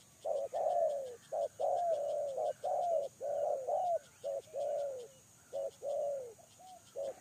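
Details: Spotted dove used as a lure, cooing in quick pairs of a short and a longer sliding note, around once a second, against a quiet high-pitched ticking.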